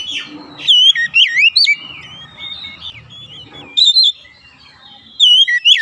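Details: Lure song of an Oriental magpie-robin played to excite caged birds: loud bursts of fluty, wavering whistles and quick slurred notes, separated by quieter gaps, with a soft low rumble in the background.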